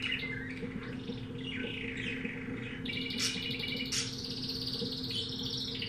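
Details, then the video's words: Caged canary from a pet shop, type unknown, singing varied phrases: swooping whistles, then buzzy high trills and rattling rolls, low hum in the background. "Canario cantando"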